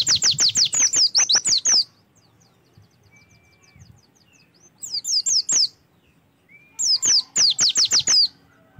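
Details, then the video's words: Oriental white-eye song for prompting a captive bird to open up and sing: three bursts of rapid, high, downslurred whistles, about ten notes in the first, with brief quiet between them. "PANCINGAN AMPUH SUPAYA PLECI LANGSUNG BUKA PARUH"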